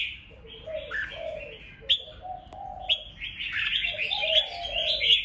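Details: Red-whiskered bulbul fighting song used to excite rival birds: warbled whistles mixed with prominent low, soft cooing notes, then a louder, busy whistled stretch in the second half.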